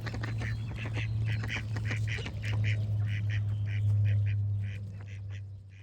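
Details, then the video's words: Duck calling a steady series of nasal, honking quacks, about two per second and slightly irregular, over a loud low droning background. "Cute Duck Quack Sound Effect with Birds Singing"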